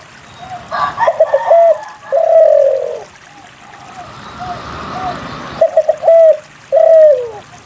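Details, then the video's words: Spotted dove coo phrases meant to coax lazy doves into singing: quick clipped coos followed by a long, slightly descending mellow coo, repeated, with faint hiss and softer distant coos in between. "SUARA PANCINGAN DERKUKU GACOR UNTUK MALAS BUNYI"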